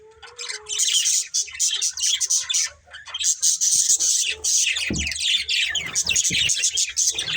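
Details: Colourful budgerigars, a breeding pair, chatter in dense, scratchy warbling bursts with high squeaky notes, nearly continuous for most of the time, with a brief lull near the three-second mark and a faint low thump.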